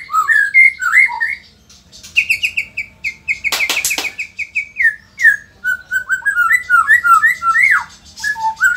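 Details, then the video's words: White-rumped shama from Indonesia, described as in vigorous full song and a super fighter, delivers rapid clear whistled notes, falling slurs and quick repeated chips, broken by a few short harsh rattling bursts. "auto emosi !! murai gacor super figter | shama bird Indonesia"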